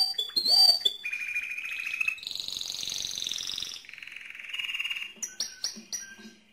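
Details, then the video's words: Mosaic canary delivering its loudest song: a varied sequence of high buzzy rolls and steady trills shifting pitch every second or so, ending in short sharp chipped whistles. "le Chant le plus fort de canari mosaïque"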